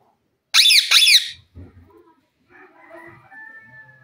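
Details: Green Indian parrot kept as a companion, known for talking: two loud, harsh, raspy screeches in quick succession, followed by soft, low murmured sounds and a faint thin tone.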